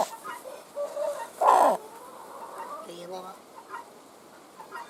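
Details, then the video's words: Domestic chickens around eggs hatching into newly born chicks: soft scattered clucks, then one loud harsh squawk of about a third of a second, followed by quieter murmuring notes and low background noise. "JUST BORN "Chicks Chirping" Sounds"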